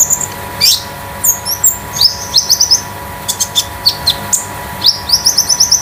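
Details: Home-kept caged Konin delivering a metallic, loose, spotted song meant to tutor and provoke other birds. Bright high chirps alternate with quick rapid series of short upward notes, several bursts in a row, over a faint background hum.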